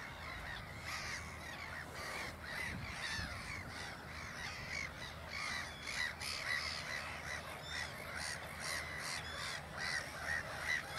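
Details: Black-headed gulls at Ottersaat on Texel, the Netherlands, where a parent walks off with its chicks trailing after it; rapid grating cries, about two per second, over a dense backdrop of other calling gulls.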